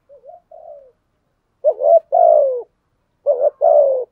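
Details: Lure spotted dove performing 'thúc gù' and calling coos. Soft, low slurred notes lead into two repeated pairs, each a brief gurgling note followed by a drawn-out, slightly descending mellow coo. Otherwise silent.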